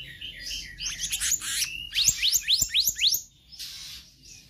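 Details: Black-naped Monarch singing in the lively 'konslet' style with full variation, meant to tutor other birds: a burst of shrill chirps, then about five quick rising whistled notes in rapid succession, then a fainter trill.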